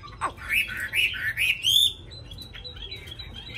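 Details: Recently arrived caged Hwamei, wild-voiced and singing as soon as it is hung out: a sharp down-slurred note, then three or four bright upward-swooping whistled phrases in quick succession, followed by quieter high twitters.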